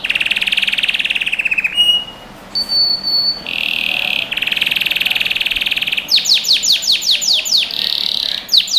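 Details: Canary song played as training for young birds: a fast buzzy trill held on one pitch, a short high whistle, another long rolling trill, then a run of quick sharply descending chirps repeated several times per second.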